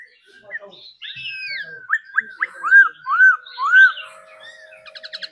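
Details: Trained captive laughingthrush singing and dancing during daily practice: a clear whistled phrase of quick upslurred notes, then three loud arched whistles, each about half a second apart, ending in softer chatter.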